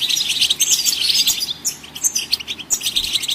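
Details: Singing goldfinches prompting other songbirds to sing: a loud, dense, continuous stream of high tinkling twitters and buzzy trills with no clear breaks.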